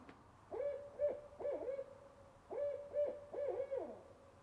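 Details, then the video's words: Owls hoot in the woods in a rhythmic series of mellow, low phrases, some ending in a drawn-out falling note, in two bursts over a few seconds. "Owls calling"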